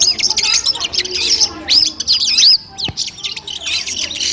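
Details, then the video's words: Long-tailed shrike song used as training audio before a bird-song contest: bursts of rapid high twittering and sharp upslurred whistles, broken by a short pause near the middle and then resuming in scratchy phrases. "masteran kumpulan suara cendet tes mental sebelum lomba"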